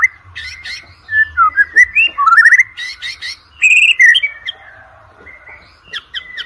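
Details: Varied white-rumped shama song, used as a lure to train competition shamas: clear whistled slurs and upward sweeps mixed with dense, buzzy chatter bursts, delivered in quick strings that fade toward the end.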